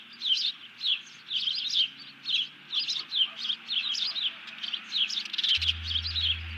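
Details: Bald eagle alarm after grabbing a fish, with a second eagle hitting the deck, 31 July 2020 pre-dawn: loud, high squealing chatter in rapid bursts about three per second, faint low rumble, hum joining near the end.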